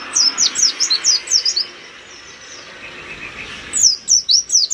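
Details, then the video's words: Oriental white-eye singing forcefully with open beak, meant to agitate rivals: quick series of high, sharp descending chirps, then a softer faint warble with background hiss, then loud chirps resume. "Pleci gacor nembak buka paruh bikin lawan langsung kejang kejang emosi"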